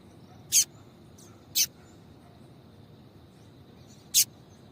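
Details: Female seedeater calling, used to excite males into singing: three brief, very high, sharp chip notes, the first two about a second apart and the third after a long pause, over a quiet background with a faint steady high hum.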